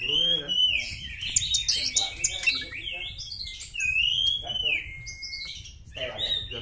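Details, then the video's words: Wild Oriental magpie-robin singing, a recording used to get stressed caged birds to respond: sweet rising whistles that flatten into long level tones, mixed with quick high scratchy notes and chirps. "suara KACER ALAM"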